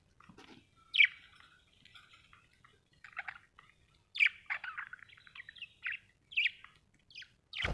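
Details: Budgerigar murmuring a soft, broken warble of short squeaky and buzzy notes in bursts with brief pauses, ending with a louder thump.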